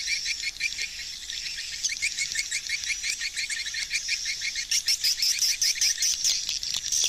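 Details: Many swiftlets flying around a swiftlet house, with rapid series of short high chirps and sharp clicks that grow denser and louder toward the end.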